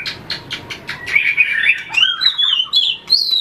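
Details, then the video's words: White-rumped shama in combative song: clicking notes leading into a fluid warbled run of high whistles that climbs in pitch, over steady low background noise. "luyện chòe lửa hót đấu,đập đuôi chạy cầu"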